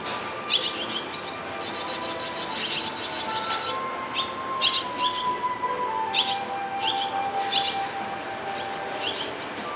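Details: Swallows at a nest under shop eaves near Kintetsu Ikoma and Toriimae stations in northern Nara, Japan: parents with chicks, some young, some nearly ready to fly. Bursts of thin, high chirps come in clusters, over a steady low hum.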